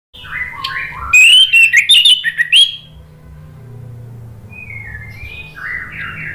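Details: Orange-headed thrush song used as a lure for caged birds: a loud burst of rapid varied whistled and buzzy phrases between softer, lower warbled notes in the background.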